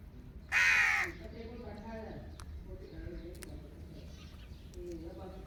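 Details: Indian ringneck parakeet, a pet bird, gives a single loud, grating screech of about half a second near the start, followed by quieter faint chatter and low background hum.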